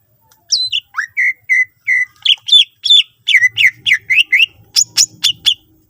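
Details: Song of a greater green leafbird, played to coax other leafbirds into singing often: a steady string of about twenty clear whistled notes, some falling and some rising, grouped into quick bursts and delivered with growing intensity.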